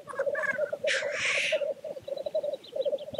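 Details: Lekking black grouse keep up a steady bubbling, cooing drone while one male gives a loud rasping hiss lasting about half a second; faint high twittering follows.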